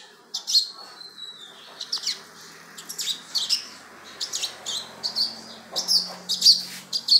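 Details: Lined seedeater kept by breeders, giving a thin falling whistle followed by spaced bright chips at regular intervals, over a low steady hum and background hiss.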